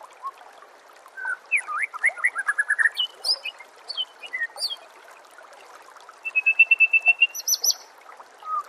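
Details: Shama tutoring recording for training songbirds: varied whistled notes and chirps, then an evenly spaced rattling trill of about ten beats, followed by a short whistle.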